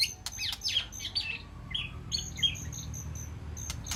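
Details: A White-rumped shama calling to its flock inside a peaceful aviary gives a quick burst of high, scratchy, varied notes, then scattered sharp whistles and clicks against a soft low background hum.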